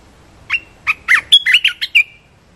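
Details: Red-whiskered bulbul giving a rapid run of whistled, warbling notes, some sliding down then up, about seven clear syllables packed into under two seconds, ending on a drawn-out whistle, with a quiet background.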